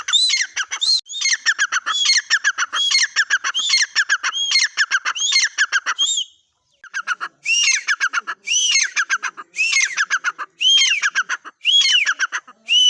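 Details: Teetar, the partridge, delivering a long string of loud, scratchy rhythmic calls built from high arching whistles and falling chatter, broken by a short silence near the middle before the series resumes.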